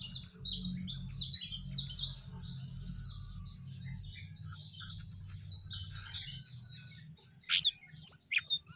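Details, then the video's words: Quieter, steady twittering from a Sooty-headed bulbul, with rapid high, slurred chirps in a continuous ripple, ending with a few louder sharp notes, over a low droning hum. "jongkangan gacor"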